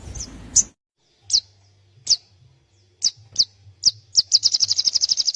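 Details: Young white-rumped shama performing song with sogon-style filling: spaced sharp high chips about every half second, speeding into a rapid, even run of high notes, with a faint low hum beneath.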